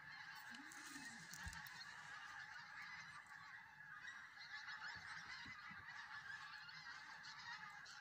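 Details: Geese massed at Southerness on the Solway Firth, Dumfries, Scotland: a steady wall of overlapping honking from many birds, with a few louder individual calls rising briefly out of the roar.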